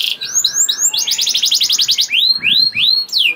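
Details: Canary in lively 'gacor' song, used to prompt other canaries to sing: falling whistled notes, a rapid rattled trill, then broader arching sweeps repeated in quick succession.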